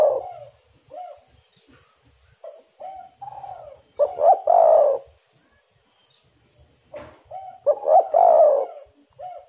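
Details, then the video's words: Spotted dove, used as a calling lure: series of soft short coos building to two loud, throaty cooing bursts about four seconds apart, each ending in a fading note. "tekukur super gacor"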